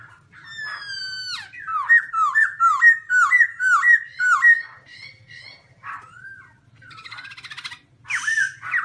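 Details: Black-throated laughingthrush, a large healthy cage bird, singing loudly: a long falling whistle, then a fast series of bouncy looping whistled notes, about two per second, ending in varied rougher whistles and harsh notes.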